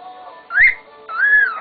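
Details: A male pet cockatiel wolf-whistles in a quiet room: a quick rising note, then a longer, clear, mid-high rising-and-falling slur.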